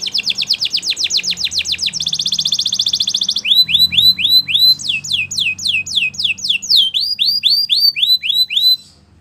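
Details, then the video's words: Belgian canary singing: a rapid buzzy trill of repeated notes, then a fast rattling roll, followed by a series of loud downward-sweeping whistled notes repeated several times a second. "Belgian Canary Song That Fascinates Everyone!!"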